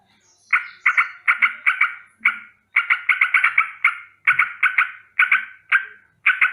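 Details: Sooty-headed bulbul in the morning giving a rolling danger alarm: harsh, buzzy chattering notes in quick bursts of two to five, separated by short pauses, with one or two single notes between bursts.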